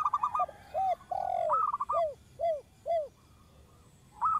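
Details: Zebra dove of local stock, recorded to lure birds: a quick trill, a long coo, another trill, then four well-spaced arched coos before a final short rolling phrase.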